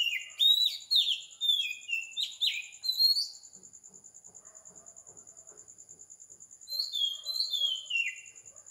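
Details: Oriental magpie-robin singing at 4 am in the morning in Sri Lanka: loud whistled phrases sliding downward, bursts for three seconds then again near the end, over a steady pulsing insect trill.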